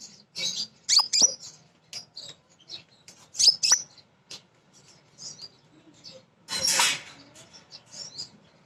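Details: Caged female kolibri ninja sunbird singing as a lure for other birds; lively high chips and twitters in irregular bursts, followed by a harsh noisy rasp, then softer chatter.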